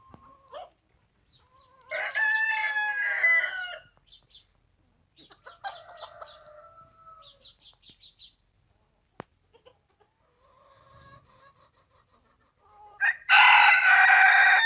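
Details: Rooster crowing: a loud harsh drawn-out crow of about two seconds, followed by softer clucks and short notes, then a loud noisy burst at the end.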